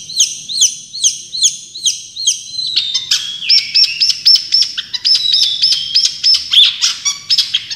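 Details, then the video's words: Champion long-tailed shrike delivering tembakan song. It begins with evenly spaced, down-and-up slurred whistles about three per second, then breaks into a rapid jumble of piercing high chips and whistles packed closely together. "Masteran Cendet Juara full tembakan"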